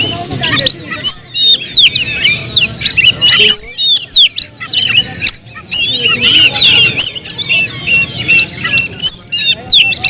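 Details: Pet Oriental magpie-robin in energetic extended song, loud whistled phrases and rapid clicking chirps in bursts separated by brief silences, some notes very high and piercing; low hum in the background.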